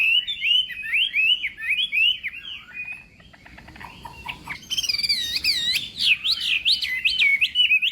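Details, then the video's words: Chinese hwamei training its voice in the morning for singing contests: fast wavy whistles, a brief quieter stretch of softer scattered notes, then a vigorous return of high, rapid looping phrases. "Hoạ Mi Hót Đấu /hoạ mi hót sáng luyện giọng kich bổi sổ giọng chim hót hay mỗi ngày/"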